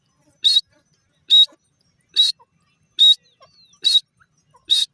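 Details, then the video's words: Teetar, the grey francolin, calling with six clean, piercing notes at a steady pace of slightly more than one per second against a quiet background "teetar ki awaaz,grey partridge bird sound"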